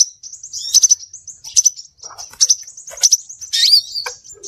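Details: Scarlet minivet lure sound: a steady stream of high, thin whistles punctuated by sharper accented chirps, with a scratchy burst near the end.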